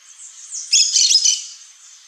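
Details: A half-second burst of grating, shrill chatter from a pair of Yellow-chevroned Parakeets, rising out of a soft, high-pitched background hum.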